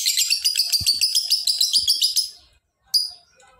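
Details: Lovebird in ngekek trill: a long, fast, harsh chattering run of notes lasting over two seconds, then a short pause and one more sharp chirp.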